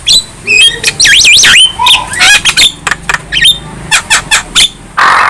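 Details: Young Javan myna singing hard with head nods to provoke other birds: looping, wavering whistles, harsh squawks, then a string of clipped chatter notes, ending in a burst of noise.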